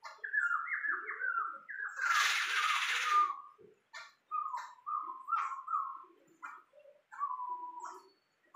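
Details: Tame Sumatran laughingthrush, described as singing very actively, giving clear whistled notes that step down in short phrases, broken by a loud harsh rushing burst. Then come repeated level whistles with low soft chatter beneath.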